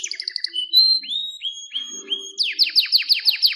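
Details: Canary singing a varied phrase sequence: a quick stuttered trill, upward-swooping whistled notes repeated about every third of a second, then a rapid series of descending downslurred notes with faint low murmurs beneath.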